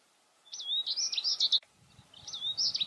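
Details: American goldfinches feeding on cosmos seeds in flower boxes below windows. Bright, high, rapidly warbling song phrases with slurred, wavering notes, two phrases back to back. A faint low rumble sits underneath.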